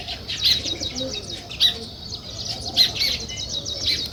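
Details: Sparrows chirping in the morning, recorded where weaver birds build nests: short bright chirps in loose bursts roughly once a second, over a steady high wash of many other small birds calling.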